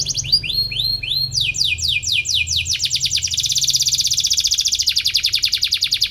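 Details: Atlantic canary, a strong singer chirping as if seeking a rival, used to train young canaries; rapid repeated upward-swept notes change into fast buzzy trills, then dense rattling phrases.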